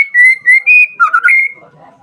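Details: Brief phrase from a white-rumped shama lure recording, used to provoke rival shamas: three long, level, pure whistles followed by a quick lower warbled trill and a final sustained whistle.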